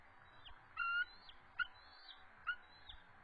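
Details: Eagle pair in defensive posture at the nest, calling during a territorial dispute, March 23, 2014, evening. Three brief bright whistled notes with falling tails come about every eight-tenths of a second.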